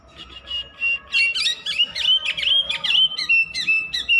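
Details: Oriental magpie-robin singing nonstop, a dense run of rich whistled notes and buzzy chips repeated about three per second, mixing steady tones with quick rising and falling slurs.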